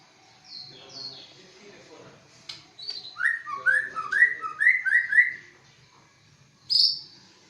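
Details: Competition-class white-rumped shama from Aceh delivering a quick string of seven or eight rising whistled notes mixed with high thin chips, preceded by soft scattered notes and ending with one loud high whistle.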